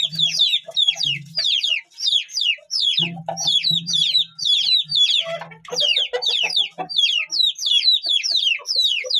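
A brood of Aseel chicks peeps constantly, shrill, downslurred notes tumbling over each other several times a second, with a faint low murmur beneath.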